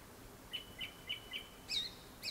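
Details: A Japanese thrush sings before sunset, a rapid string of four short, even whistled notes, then sharper, higher-pitched chirps to finish.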